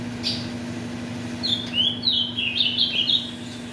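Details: Ultramarine grosbeak in captivity, bred from mutation parents for song tournaments: one brief high note, then a lively two-second run of rapid, jumbled warbling notes, with a continuous low hum behind.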